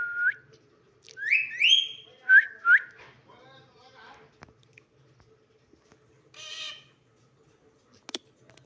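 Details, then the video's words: Parakeet copying human speech: quick rising whistled syllables with harmonic, voice-like notes, followed by softer murmured sounds, a brief hiss and a few sharp clicks in an indoor setting. "অসাধারণ কথা বলা টিয়া পাখি"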